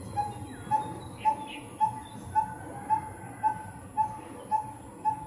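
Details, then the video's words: Coppersmith barbet, one of two birds calling with different energy, recorded in 2020: an intense run of ten short hollow tonk notes, very regular, about two per second, over low background rumble and faint other birds. "The Intense & The Chill Coppersmith Barbet"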